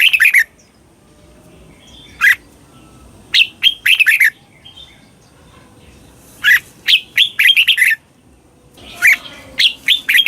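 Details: Red-whiskered bulbul, Thailand, delivering slow doubled 'bueng' song phrases meant for training young birds; several crisp bursts of warbling, sharply pitched notes, some single, some run together in quick strings.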